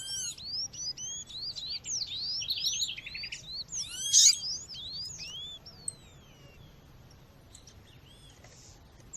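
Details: Female seedeater (coleiro / papa-capim) calling for stimulating males, set in nature sounds: dense, high, downslurred chirps and trills for about six seconds, then fading to quiet background.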